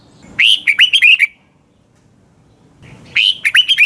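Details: Red-whiskered bulbul singing at dawn as a lure for training birds: two quick, chattering phrases of several rising and falling whistled notes, separated by a two-second gap.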